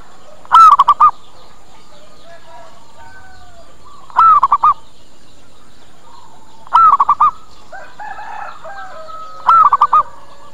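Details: Zebra dove lure call meant to draw birds in: four low cooing phrases spaced roughly three seconds apart, each opening with a drawn-out rising coo and ending in three or four quick clipped notes, over a faint steady hum.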